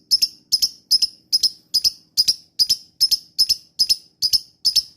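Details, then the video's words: Lovebird provoking other lovebirds to respond, a lure call: a steady string of piercing high double chips, twelve pairs in five seconds, evenly spaced. "pancingan lovebird ini bikin semua burung lb diam langsung nyaut ikut ngekek"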